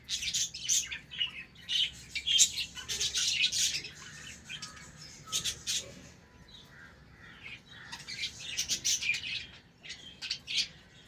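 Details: Budgerigars in a colony breeding setup, heard in the morning while playing. Loud bursts of squawky chirping and harsh chatter alternate with quieter gaps of a second or two.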